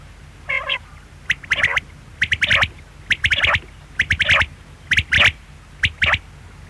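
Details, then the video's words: Quail giving harsh, squawky calls in short clusters of two to four notes, repeated roughly every second, over a low background hum. "Quail sound|Batair ki awaz|bedana ovozi|бөдөнө үнү|перепелиный звук|بٹیر کی آواز"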